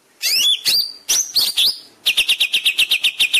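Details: Greater green leafbird master song for training caged birds to sing readily: loud high whistled notes sweeping up and down, then a fast rapid series of sharp repeated chips near the end.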